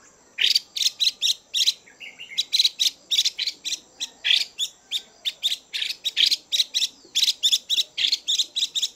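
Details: Chinese hwamei female, kept in a cage, calling to excite males: a long unbroken sequence of rapid harsh rasping notes, roughly three to four per second, with a brief soft twitter early on.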